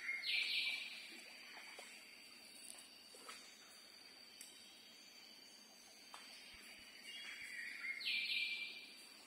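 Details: Birds singing in the early morning in a mangrove forest on a narrow river, heard from a rowed boat with the engine off; bright bursts of chirping recur at the start and near the end, with faint scattered calls between.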